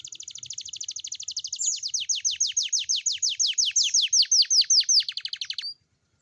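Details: Morning canary song used to coax young canaries into singing: a long, steady trill of rapid, repeated downward-sweeping notes that grows louder and slower partway through, then stops abruptly.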